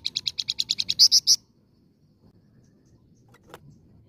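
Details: Flamboyan, known in English as red-fronted serin, singing a lure song: a quick series of about ten buzzy high notes, the last three louder and sharper, then quiet with a single faint tick.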